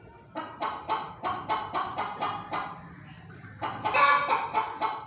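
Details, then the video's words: A hen makes repeated staccato clucks, about four per second, then pauses briefly before a louder, rising squawk and more quick clucks. "Hen Making Noises"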